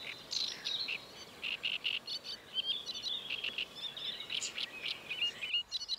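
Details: Great reed warbler singing at Paxton Pits Nature Reserve on 28 May 2016, a continuous, chattering run of harsh, grating notes, each phrase repeated two or three times before changing, with a faint background rustle.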